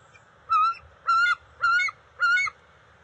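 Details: Juvenile bald eagles at the NCTC nest during fish deliveries, June 29, 2021: four evenly spaced, lower, reedy honking calls, each about a quarter second long, with faint background hum.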